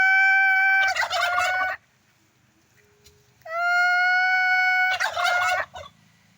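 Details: Turkey giving two calls a few seconds apart. Each opens with a level, clear tonal note and breaks into a fast, rattling gobble, with near silence between them.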